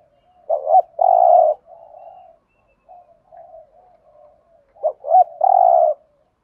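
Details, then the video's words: Spotted dove giving a thúc gù coo in the Thổ style, used as a decoy for trapping: two short throaty notes, then a loud sustained coo and soft low murmuring, with the phrase repeated after about four seconds. "Tiếng chim cu gáy thúc gù giọng Thổ thúc gù"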